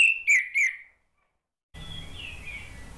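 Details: Three clear falling whistles from an orange-headed thrush, sung to encourage other birds to reply, followed by silence and a faint hissy stretch with a soft warble.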